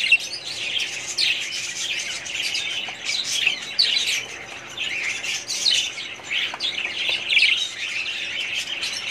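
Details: Breeding colony of budgerigars, 2017: lively continuous twitter of many birds, harsh squawks mixed with quick warbled chirps and occasional sharper single squeaks.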